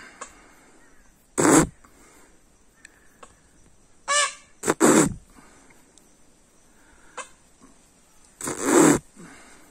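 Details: Peacock calling loudly: three harsh, nasal, strongly harmonic cries spaced several seconds apart, the middle pair coming in quick succession, with a quiet background between calls.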